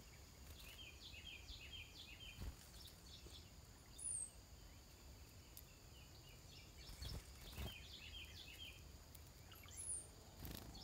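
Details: Chickadee recorded 5/9/18 gives two faint bursts of quick, high chirping notes with a couple of sharp, thin notes between them, over a steady low background rumble.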